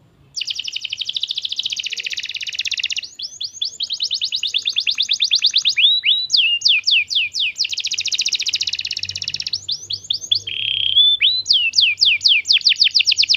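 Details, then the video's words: Lure song of a canary used to get young canaries singing: long buzzy rolling trills alternate with quick series of falling whistled notes and brief sweeping phrases, loud and continuous throughout. "PANCINGAN KENARI PAUD Langsung Nyaut Nggak pake lama"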